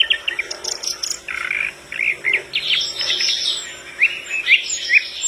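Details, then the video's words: Flycatcher in lively, sustained song that sets other birds answering: bright chirps and upslurred whistles in quick overlapping phrases, with higher thin notes from other birds mixed in. "Sikatan londo gacor bikin burung lain langsung ngrespon"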